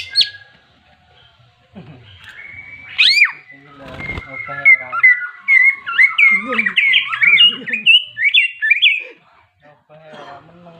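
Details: Greater green leafbird's ngentrok jenggrik fighting song to provoke rivals: scattered chips and a loud click at first, then from five seconds a lively stream of twisting, high whistled phrases that fades near the end.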